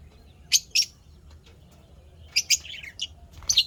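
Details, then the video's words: Happy lovebirds in a pet setting give clusters of shrill, high chirps, two early then a busier run near the end, over a quiet background hum. "lovebirds chirping sounds happy"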